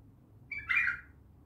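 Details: Bulbul uttering one brief, bright warbled phrase that opens with a thin note and swells into a rich, slurred burst before fading into quiet room noise.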